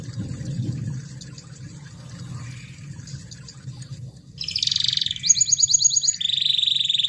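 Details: Canary lure song to get a quiet canary singing: a low background hum for several seconds, then a sudden loud buzzy phrase breaking into a high pulsed trill and a lower rolling trill.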